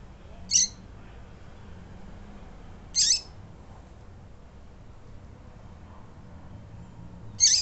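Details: A female double-collared seedeater calls to stimulate males, giving three brief, high, thin peeps spaced two to four seconds apart over a faint low background hum.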